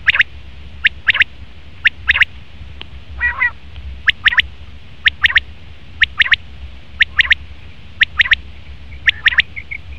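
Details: Calling male common quail repeats crisp, high clipped notes in pairs and triplets about once a second, with one lower raspy growl early on and a faint thin whistle near the end.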